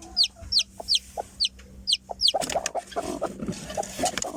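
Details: Chicken chick just out of the egg: sharp, high peeps falling steeply in pitch, about three a second for two seconds, then a burst of rustling and lower clucky noise.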